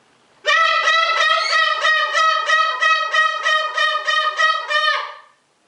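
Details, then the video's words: Pet male greater sulphur-crested cockatoo, still fuzzy, indoors with its owner: a loud, nasal, pulsed call of about nine rapid, even, trumpet-like notes running steadily for five seconds, then stopping abruptly. "greater sulfur crested cockatoo"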